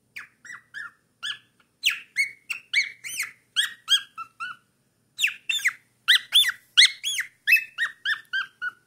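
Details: Young cockatiel, four months old, singing busily in a steady stream of short whistled and chirpy notes, many rising then falling, roughly one or two per half second, with one brief pause midway.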